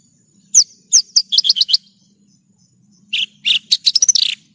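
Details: Horsfield's bush lark, called branjangan, singing for a masteran recording: a few sharp falling whistles run into quick chirps, then after a pause a rising, accelerating series of buzzy notes.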